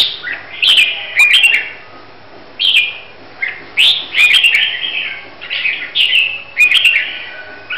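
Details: Competition-bound red-whiskered bulbul from Huế, Vietnam, singing spaced bursts of cheerful, slurred whistles that drop in pitch, roughly one phrase every second, with occasional sharp ticks behind.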